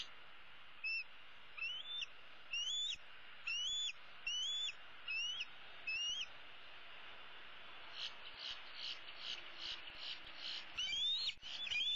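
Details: Older bald eagle eaglet from 2016, roosting in a tree with a leg dangling over the side, calling for her parents to bring food, April 15, 2016: a series of high, rising, slurred whistles about every second, then fainter chatter.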